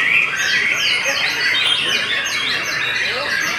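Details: Belanda-type white-rumped shama in steady song: rapid, overlapping high whistled sweeps rising and falling, with chattering notes woven through a continuous stream.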